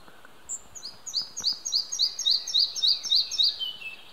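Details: Singing male Red-breasted flycatcher at Hunneberg Nature Reserve, Västergötland, Sweden, on June 5, 2015, recorded with a camera: a clear, high song of about ten quick, evenly repeated ringing notes that falls away into a short descending trill at the end.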